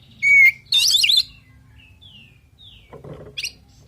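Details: Oriental magpie-robin in full 'isian' varied song, meant to provoke rival birds into answering: a bright rising whistle, then a dense burst of tangled, twisting high chirps, a pause with two soft slurred whistles, and a short harsh chatter at the end.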